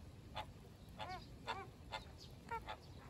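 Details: American (Caribbean) flamingos in a marsh on a summer day give short, nasal, goose-like honks, about six in three seconds, some doubled, over a low background hum.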